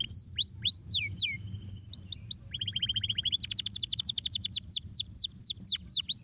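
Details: Canary stimulating song: varied phrases of downslurred whistles, a steady even trill, then a fast high rattle of repeated notes, clean recording with low hum.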